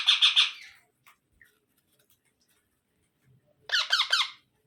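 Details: Baby parrot making harsh, buzzy squawks: a rapid burst of three or four grating notes at the start, then after a silence a second run of five rough, descending squawks in a small quiet room.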